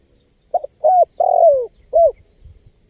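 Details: A single spotted dove phrase, used to attract wild birds: a quick double note, a flat coo, a long coo that drops in pitch, then a short coo. Soft low knocks follow.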